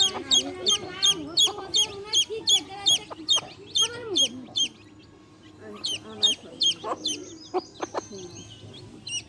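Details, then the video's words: Baby chicks with a hen, chirping in a steady run of sharp, high, downward-sliding peeps, about three a second, pausing briefly midway before resuming, while soft low clucks sit underneath. "Hen sounds | chicks sounds | relaxation sounds | hen videos | baby chicks chirping sounds"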